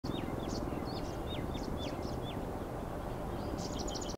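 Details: Grey-breasted Prinia (Prinia hodgsonii) recorded 13 March 2023, calling thin, high, downslurred notes about two per second, with a brief buzzy burst near the end, over a steady low rumble of traffic.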